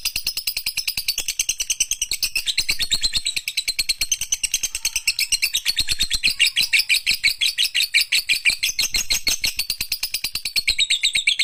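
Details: Caged lovebird in vigorous song: a long, dense stream of rapid, scratchy high chirps and trills, around three notes a second, running without pause for the whole stretch.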